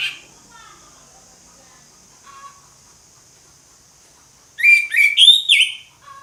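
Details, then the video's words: Orange-headed thrush, ngeplong-style singing: after a near-silent stretch with faint distant notes, one loud phrase of quick stacked whistles rising then sweeping down, lasting just over a second. "ANIS MERAH NGEPLONG, SUARA ANIS MERAH NGEPLONG"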